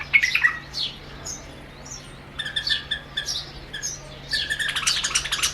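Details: Two White-eared Bulbuls sing at a mirror on a Rajasthan window sill, treating the reflection as a competitor. Bursts of bubbly, harmonic whistled phrases are broken by brief pauses, ending in fast chattering notes over a soft hum.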